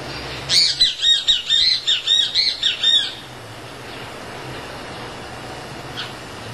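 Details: Chimango caracara (Milvago chimango) in Argentina, while feeding, gives a fast run of about ten harsh, screechy, high notes in under three seconds, then stops, leaving quiet outdoor background.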